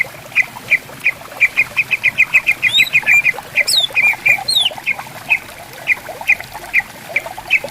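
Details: Greater green leafbirds calling to each other in bamboo forest along a gently flowing river: quick series of bright chipping notes speeding up then slowing, with several high descending whistled swoops.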